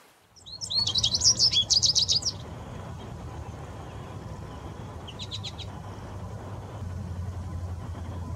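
An American goldfinch gives a quick, high twittering burst of bright chip notes, then a shorter burst a few seconds later, over a steady low rush like running water.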